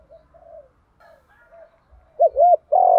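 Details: Spotted dove cooing in the 'đồng pha' voice, used to prompt other doves to call; quiet low murmured notes lead into two quick looping coos and a longer loud drawn coo.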